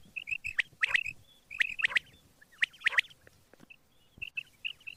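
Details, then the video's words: Quail calling in the morning: clusters of short, bright chirped notes repeated in quick bursts about every second, with brief pauses between groups and a few sharper clicks mixed in. "batair Subha ki awaz | quail sound effect"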